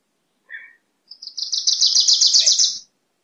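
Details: Wilson's warbler: a single lower chip, then a long, rapid chattering trill of high notes building in loudness over about a second and a half, with a quiet background.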